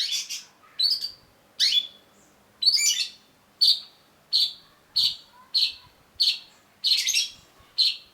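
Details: Long-tailed shrike (cendet) in lively 'gacor' form, a masteran tutor recording meant to keep a bird from stalling its song: loud harsh chattering bursts and buzzy high notes repeated about every 0.7 seconds, no other sounds.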